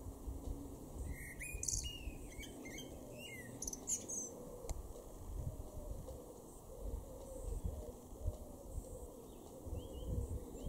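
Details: In a May garden in Weener, East Frisia, Germany, a male common blackbird gives one song phrase: a few mellow warbled notes running into high, scratchy twittering, followed by several seconds of low rumbling background noise.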